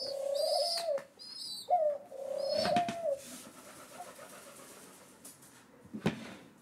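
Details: Rescued pigeon chicks, seventh day of care, anticipating breakfast: a few high shrill peeps and two sustained mid-pitched tones early on, then quieter rustling and a couple of sharp knocks.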